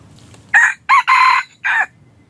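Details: Red junglefowl decoy crow for hunting: a single loud crow broken into four harsh notes, short, short, long, short, lasting under one and a half seconds, with soft background hum.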